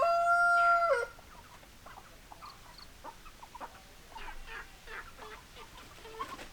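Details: Chickens: a loud, drawn-out tonal call opens, ending abruptly after about a second, followed by quieter scattered clucks and short squawks from hens in the flock.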